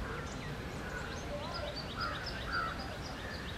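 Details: Loten's sunbird in the Theosophical Society Gardens, Adyar, Chennai, giving a quick series of thin, high chirps, several per second, over a steady low hum and faint lower bird calls.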